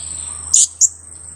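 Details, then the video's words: Two-week-old young blue-crowned hanging parrot, kept as a lure for trapping birds with birdlime, giving its kiak call: two sharp, very high squeaky notes a quarter second apart over a steady shrill insect drone. "junior KIAK²...usia 2 minggu"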